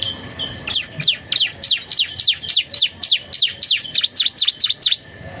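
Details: Singing canary whose song includes Javan tesia and bar-winged prinia phrases, delivering a steady series of sharp, down-and-up chip notes, about three per second, clear against a quiet hiss.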